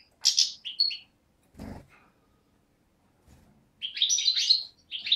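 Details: Beni Snassen European goldfinch, a 2011 youngster, recorded 8 January 2012 near the Moroccan–Algerian frontier; two quick bright twitter phrases separated by a dull thump and silence, ending in a rapid chirping burst.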